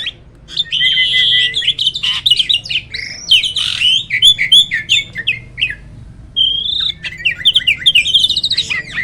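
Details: Black-winged starling, said to be rarely met in the wild, delivering harsh squawks mixed with clear whistled notes and rasping chatter in an uneven, rambling sequence.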